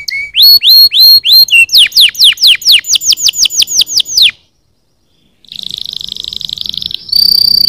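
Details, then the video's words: Canaries singing to spur other birds to sing: rising whistled chirps give way to a quick run of descending sweeps, then silence and a dense buzzy roll followed by a higher steady trill. "Suoni di canarini che cantano per stimolare i suoni degli uccelli"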